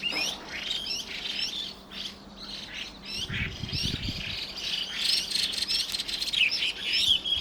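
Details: Two Chinese hwamei vocalizing at dusk with rasping and piping notes; varied whistled phrases and squawky bursts continue throughout, with a low rumbling noise briefly in the middle.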